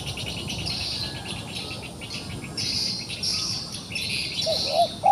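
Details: Wild pigeon held in a trap and fighting: after several seconds of loud insect buzzing, two or three low, arching coo notes come at the very end.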